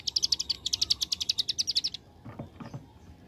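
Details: Bar-winged prinia (ciblek gunung) singing actively in the rapid machine-gun 'ngebren' style called AK47: about twenty fast, high, sharp chips packed into two seconds, followed by a few low knocks and near silence.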